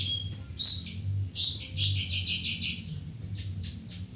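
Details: Long-tailed shrike giving harsh, buzzy high chattering phrases and quick repeated chips, with a constant low rumble behind.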